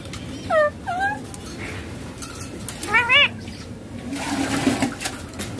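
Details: Ringneck green parrot, a rose-ringed parakeet, talking as it plays with a mobile phone: two short bent harmonic phrases early on, then a quicker wavering pair of syllables, over soft room hum and faint noises.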